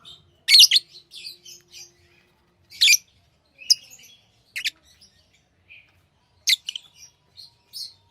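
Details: Chirping from tamed pet lovebirds, loud harsh high chips spaced a second or two apart, separated by softer squeaky twitters and quiet gaps.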